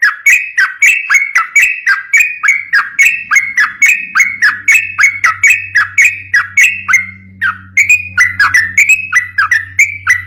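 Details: Sooty-headed bulbul song, used as lure material to train other bulbuls: long, brisk sequence of rising-then-falling whistled notes in quick succession, with a brief pause midway and a faint low hum underneath.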